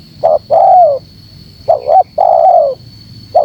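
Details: Spotted dove call used as a lure so other birds gather: two phrases of a short double note and a drawn-out descending coo. The start of a third phrase follows, over a thin constant high tone.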